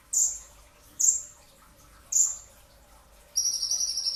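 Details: Pre-dawn training recording of a brown-throated sunbird: three shrill, downward-sliding notes roughly a second apart, followed by a buzzy, high trilled phrase.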